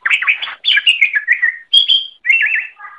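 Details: Song of a greater green leafbird recorded as a master for other birds to learn: dense chattering phrases, then a clear whistled note and a quick wavering trill ending lower.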